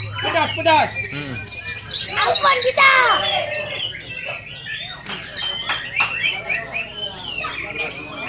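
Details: White-rumped shama singing at a bird-song contest practice round in Lhokseumawe, Aceh, on 22 September 2019: rich, fast, varied whistled phrases with rising and falling sweeps, loudest early, then fainter chirps, low electrical hum and other birds behind.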